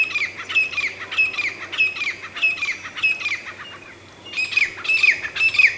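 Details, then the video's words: Grey francolin (teetar) calling in a fast series of loud, harsh, squeaky notes repeated almost twice a second, with a brief pause near the middle before the rhythmic series resumes. "Grey Francolin Voice - Grey Francolin Sound - Grey Francolin - Teetar Ki Awaz - Teetar Voice"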